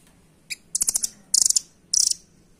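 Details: Velvet-fronted nuthatch used as master song to train caged birds: a single sharp chip followed by three short bursts of rapid, very high, rattling notes, each burst about a quarter second long.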